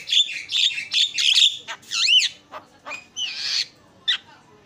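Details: Javan myna (jalak kebo) song from a training recording: dense, harsh chatter at the start, then a looping whistled slur and a raspy burst, fading to sparse chips.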